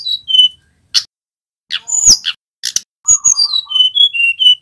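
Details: Male tledekan gunung flowerpecker singing high whistled notes and buzzy chips, then a stretch of steady whistles stepping up and down, with scattered clicks.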